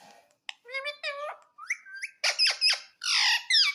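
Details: Pet green parrot indoors in a small room, looking at itself in a mirror, giving a run of harmonic squawking notes that rise and fall, then loud, harsh, buzzy screeches in quick bursts.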